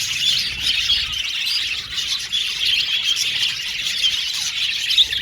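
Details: Aviary colony of male budgerigars, blue and violet, chattering together: overlapping high warbles and chirps blend into an unbroken bright chatter, with a few sharper squeaks rising near the end.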